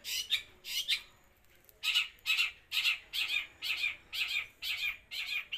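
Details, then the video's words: From Jember, East Java, an eight-month-old long-tailed shrike delivers its mimicked material (gereja, kuntilanak, tengkek buto) in one breath: harsh, squawky bursts repeated roughly every half second after a brief pause. "CENDET USIA 8 BULAN MATERI SATU NAFAS GEREJA KUNTILANAK TENGKEK BUTO"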